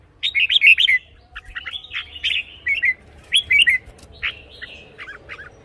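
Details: Red-whiskered bulbul in a cage, sound used for decoy work or to excite other birds: several short warbling phrases with slurred rising and falling notes over a steady background hiss.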